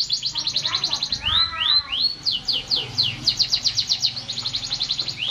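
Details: Canary in steady song, quick chattering trills interrupted by a pair of upward-sweeping whistles, then more rapid repeated notes; faint low hum in the background.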